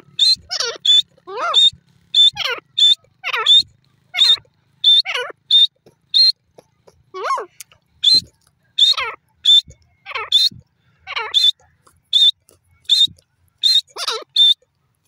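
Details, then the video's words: Desi teetar, the grey francolin, in a long calling sequence: a steady run of sharp, high, clipped notes roughly twice per second, broken by repeated descending slurred notes, with a quiet background. "grey francolin long vioce,desi teetar awaz"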